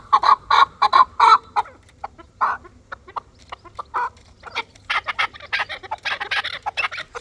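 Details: Fighting chukar partridge calling: a fast run of loud clucking chuk notes, then a denser stretch of harsher, broader scratchy notes near the end.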